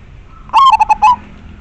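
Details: Clear, loud coo of a local zebra dove kept as a lure for wild birds: a long opening note, then three quick rounded notes and a slightly longer closing one, with a soft background hum.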